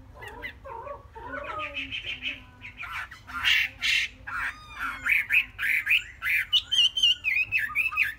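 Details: Three-month-old caged Chinese hwamei with a jumbled song of harsh rasps and squawks, growing louder into evenly spaced bursts and fast trilled whistles near the end; low hum throughout.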